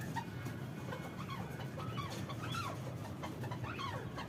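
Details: Arabian partridge recorded on 3 January giving a few slurred, rising-and-falling notes about once a second, set against a steady low rumble and background hiss.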